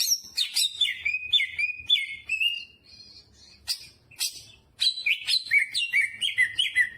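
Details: Greater green leafbird in energetic song with jamtrok-style fill-ins: bursts of sharp high chips and descending slurred whistles, a brief pause near the middle, then more fast rolling whistled phrases; faint low hum beneath.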